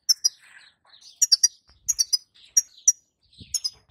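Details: European goldfinch, female, calling so that the male will sing: sharp high twittering notes in clusters of two or three, some brief nasal buzzes between, and a soft tap near the end.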